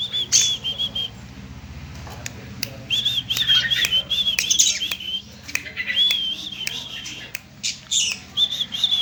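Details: Young long-tailed shrike; scratchy, high chattering phrases in short bursts of about a second, repeated with brief pauses, broken by sharp clicking sounds.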